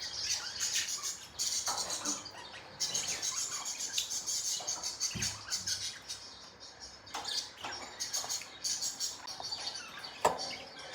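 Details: Budgerigars chirping in the morning, a busy stream of high, scratchy chirps and twitters with short gaps and sharp clicks.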